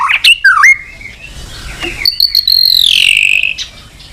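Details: White-rumped shama calling a rival in a lure recording: sharp chips and a dipping whistle, then a long high buzzy note that slowly falls in pitch before cutting off.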